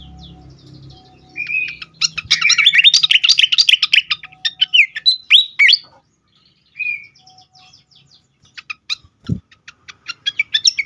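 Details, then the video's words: Agitated fantail: a short whistle, then a dense chattering burst of harsh ticks and notes, a pause with a single whistle, and a fresh series of fast sharp clicks quickening toward the end. "sikatan kipas ngamuk sekali dengar cocok untuk pikat dan rangsangan bunyi burung bahan"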